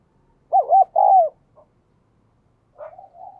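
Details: Captive spotted dove in the 'đồng kim' voice style, a frequent cooer played to stimulate newly caught birds. A loud, wavering two-part coo, a pause, then a softer, drawn-out coo.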